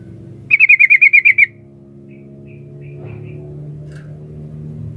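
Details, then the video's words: Sooty-headed bulbul female calling for a male: one quick chattering string of roughly eight strong notes, sliding gently downward, followed by a few faint scattered chirps and a constant low drone. "suara burung trucuk betina memanggil jantan"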